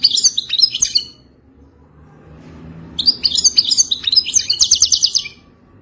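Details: A European goldfinch sings its mating song to teach a captive bird: a burst of fast twitters, nearly two seconds of quiet, then a longer run of bright chattering notes and buzzy trills.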